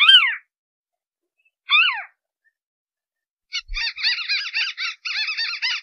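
A crake gives two sharp descending calls, then a rapid chattering run of harsh, bouncing notes.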